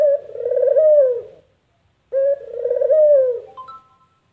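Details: Two rolling coos from a puter dove, the distinctive "kuk gerruuuk" call, each a short sharp start and long burred tone falling at the end; a brief thin whistle sounds after the second phrase.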